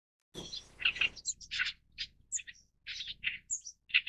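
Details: Oriental reed warbler singing a harsh, chattering phrase of short, grating bursts, each high note quickly followed by another in an uneven, jerky rhythm against a quiet background.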